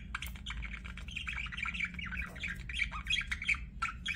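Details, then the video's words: Budgerigar chirping: dense, rapid warbling chatter of short buzzy and squeaky notes, with continuous low hum underneath. "BUDGIE CHIRPING SOUNDS"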